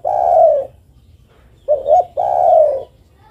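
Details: Female spotted dove calling a male with a long hollow coo, a pause, then two short notes leading into another long falling coo.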